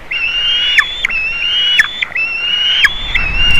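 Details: At a Latvian nest on 27 June 2019 a juvenile White-tailed eagle visits the eaglets, nest camera: three clear, high level whistles, each close to a second long and ending in a sharp downward flick, over quiet background.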